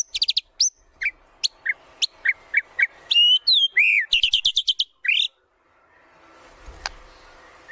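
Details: White-rumped shama singing, a lure for training birds: short scattered chirps, clear gliding whistles, then a quick burst of repeated notes before a quiet stretch with faint background noise.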